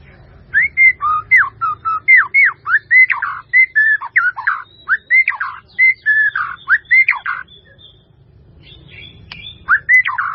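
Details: White-rumped shama singing melodiously: a long run of loud whistled notes, each a sharp rising then falling slur, repeated about four times a second, then a short pause before the pattern resumes.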